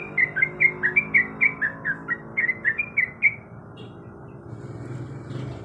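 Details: A breeding-condition female yellow-vented bulbul calling the male gives a brisk string of about fourteen bright, slurred chirps over three seconds, then falls silent, leaving only faint room noise.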